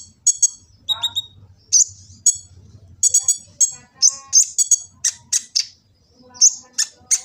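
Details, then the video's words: Sunbird (kolibri ninja) from Gresik, East Java, full-variety song used as a master recording for training birds: sharp high ticks in quick clusters mixed with brief buzzy, slurred notes, on a phone recording. "Kicau burung kolibri ninja full isian cocok untuk pancingan & masteran burung konin jadi gacor"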